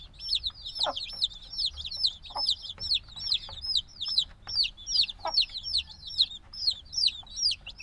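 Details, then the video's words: Newly hatched black chicks, a few days old and still seeking the mother's warmth, give loud, clear, downward-curving peeps in quick succession, roughly two or three each second, with scattered low taps. "Baby Chicken Sounds - Baby Chicken Chirping Noises"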